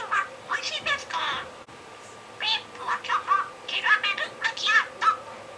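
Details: Talking budgerigar at home, July 2016, rehearsing shop-clerk greetings over and over; bursts of squeaky, nasal chattering syllables, a short lull, then a longer run of quick warbled mimicked words.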